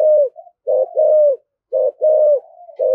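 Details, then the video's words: Low, mellow spotted dove coos in the thổ thúc gù style, described as very fierce: a short note, then a drawn-out level coo, repeated in pairs with brief pauses and a faint trailing murmur. "Tiếng chim cu gáy giọng thổ thúc gù cực đỉnh và rất là hăng"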